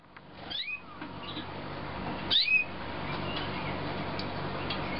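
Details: Young canaries from 2009: a rising chirp early on, then a louder sharp call sweeping upward with a bright high tail, and scattered faint chirps over a steady hiss.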